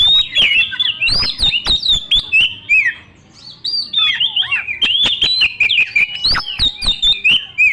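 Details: Oriental magpie-robin, young and of forest origin, pours out an insistent lure song full of mimicked fill-in phrases. Varied whistles and chattering notes arrive in fast bursts, with a short silent gap midway and frequent sharp clicks.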